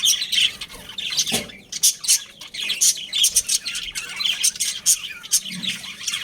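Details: Pet budgerigars from a breeding pair, chirping: dense, rapid high chattering squawks and tweets, bursts clustering every half second or so, with a brief low thump near the middle.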